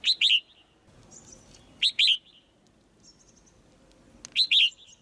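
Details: Caged female white-eye giving sharp chirps to stimulate the male to sing louder; paired high chirps come in three bursts about two seconds apart, with faint thin notes between them.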